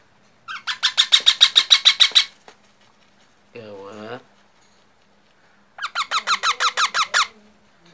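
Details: Baby parrot in two fast bursts of shrill, buzzy squeaks, about a dozen each, separated by a short, lower, wavering sound resembling a human voice, in a quiet room.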